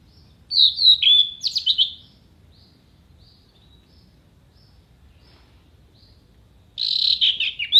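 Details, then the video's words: Singing orange-headed thrush, a songbird-contest training recording full of mimicked fill-ins: a quick run of high whistled slurs and rattling notes, a long silent gap, then a dense scratchy burst at the end. "MASTERAN ANIS MERAH GACOR FULL ISIAN TEMBAKAN TAJAM VOKAL JERNIH DURASI PANJANG ISIAN BURUNG LOMBA"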